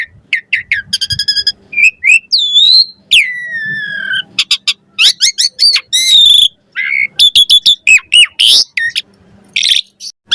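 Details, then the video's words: Varied chattering song of an Asian pied starling, meant for tutoring other starlings: rapid clicking rattles, long descending whistles, harsh rasping notes and quick repeated chips packed together without pause. "Suara Jalak Suren Full Variasi Ocehan"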